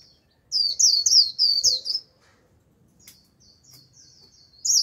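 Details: Lure Japanese white-eye sings a quick burst of high, thin, jumbled warbling notes for about one and a half seconds. Faint distant twitters follow, then a loud high note closes the recording.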